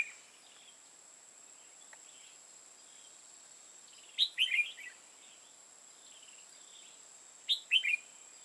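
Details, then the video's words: Red-whiskered bulbul recorded during bulbul trapping in Hòa Bình, Vietnam: two short, loud warbled phrases of bright chirping notes about three seconds apart. A steady, thin high-pitched whine runs throughout. "Bẫy chào mào hòa bình"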